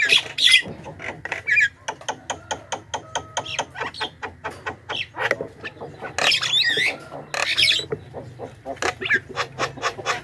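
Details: Javan myna calls used as a lure for wild birds: a rapid run of dry clicks and harsh chatter, broken by a few louder, squealing, rasping bursts over about ten seconds.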